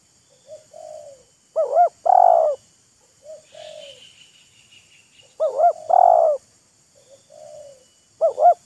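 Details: Spotted dove decoy and wild bird showing off their calls to each other: loud near wavering, buzzy coo phrases recur about every three and a half seconds, each preceded by softer, farther falling coos from the other bird.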